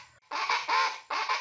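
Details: Rufous-vented chachalaca in Venezuela, a wild bird of thickets near forest, giving loud, harsh, raucous squawks in three rapid bursts, each about a third of a second, grating and chicken-like.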